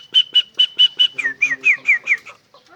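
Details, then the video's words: Asian pied starling, a bird known for imitating a cough, gives five loud, evenly spaced, pure whistled notes. These are followed by a run of five quicker, buzzier, downslurred notes, then quiet. "Jalak suren bisa batuk"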